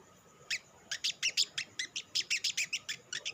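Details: Olive-backed sunbird, locally sogok ontong, giving lure song to prompt other sunbirds to sing: a quick string of about fifteen high, sharp chirping notes, evenly spaced and slightly varied in pitch.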